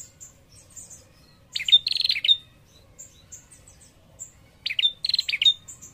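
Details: A persistent female prinia calls to draw out a male: two bursts of rapid rattling ticks with brief whistled tails, spaced about three seconds apart, among quiet high-pitched chirps from the background.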